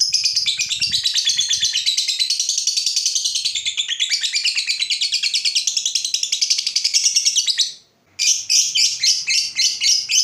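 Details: Lovebird ngekek panjang, a long trill to stimulate other lovebirds to sing: an unbroken, high, rapidly pulsed buzzy chatter for about eight seconds, a brief break, then it resumes.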